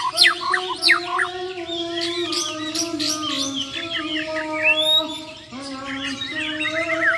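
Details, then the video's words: Borneo White-rumped shamas, champion birds tested against rivals, deliver rapid besetan and tembakan phrases: steep whistled upsweeps and varied chirps over a constant low humming tone. "BURUNG - BURUNG JUARA MURAI BATU BORNEO "MUARA WAHAU" || FULL ISAIN BESETAN DAN TEMBAKAN"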